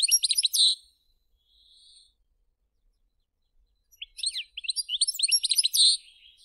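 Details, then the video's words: Captive, bred European goldfinches kept as songbirds in a village: quick, high, liquid twittering bursts of tinkling notes, a short phrase, a pause, then a longer, faster run. "Певчие птицы, Щегол. Songbirds Goldfinches."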